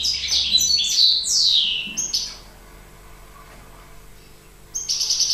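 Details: European goldfinch singing during the breeding season: a few bright, tinkling, downward-slurred twittering notes, then a pause before a short burst resumes.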